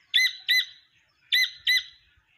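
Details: Jungle partridge chick calling: two quick pairs of loud, ringing nasal notes, separated by a brief pause, with faint low thumps afterward.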